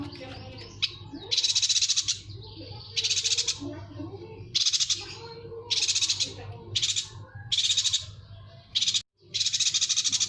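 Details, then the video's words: Yuhina recording prepared to tutor songbirds. A rapid series of about eight harsh, rattling buzz bursts follows at roughly one-second intervals, with soft chatter between them and a brief silence near the end. "MASTERAN AMPUH BURUNG YUHINA"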